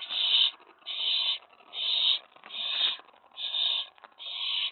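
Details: Owlet inside a nest box at night, 19 May 2017, getting excited as an owl lands on the tray after a mouse delivery: six harsh, breathy hisses of about half a second each, evenly repeated with short gaps.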